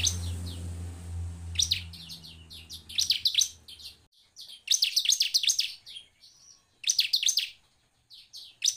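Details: Bar-winged prinia, possibly a female, gives bursts of high, rapid, chattering notes in repeated phrases, used as a lure to stimulate other prinias to sing; a low hum fills the first four seconds.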